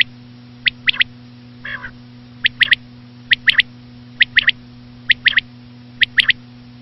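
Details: Common quail (batair), said to be a female, in a recording for hunting: seven or eight rhythmic three-note phrases, each one note then a quick pair, under a second apart, with one nasal rasping note early on and a constant low hum.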